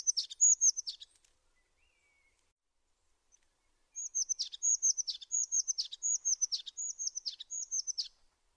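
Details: A tit sings a high whistled phrase with sharp downward trills, pauses for nearly three seconds in near silence, then repeats the phrase six times in a steady, bouncing rhythm.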